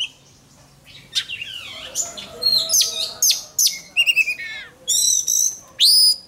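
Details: Singing contest training of an oriental magpie-robin: strong varied song with upslurred and downslurred whistles, scratchy notes, a rapid rattling trill and a clear ringing final note.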